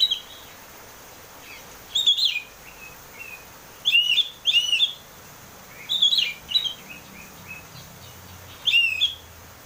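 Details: Oriental magpie-robin lure recording meant to make a caged bird sing: loud harsh chattering bursts, each followed by short soft whistled notes, repeated about every two seconds.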